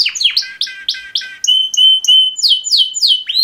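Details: Male canaries singing a mating call: repeated downward-sliding whistled notes, roughly three per second, then clear steady whistles with upward flicks.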